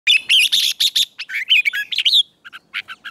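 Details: Red-whiskered bulbul in morning song, trained for song contests in a fiery, heated style; rapid bursts of bright whistled and chattering notes, then a short pause and several clipped, rising double notes.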